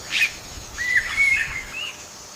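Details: Yellow-bellied bulbul parents calling as they rescue their chicks from attacking ants; a sharp chirp followed by a string of clear whistled notes, some flat, some wavering, over faint background hiss.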